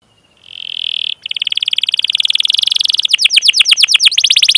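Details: Canary training song of long 'cuit cuit' chirps and rolling trills, used as a lure for young canaries: a steady high whistle, then a fast buzzy roll and sharp descending chirps repeated rapidly.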